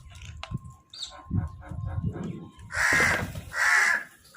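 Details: Crows calling over food as they fight for it: low rumbling and thumping noises open the recording, then two long, harsh, grating caws ring out close together near the end.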